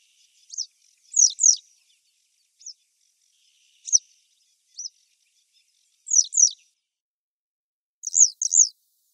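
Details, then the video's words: Grey wagtail calling by the river Lieser in 2017: sharp, high thin notes, mostly paired as quick double calls, given in bursts about every two seconds, with a few single fainter notes between. "Gebirgsstelze 1"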